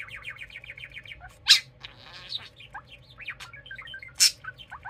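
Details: A budgerigar chitters and growls, mixing quick rising chirps with buzzy, electronic, R2-D2-like squeaks and whistles.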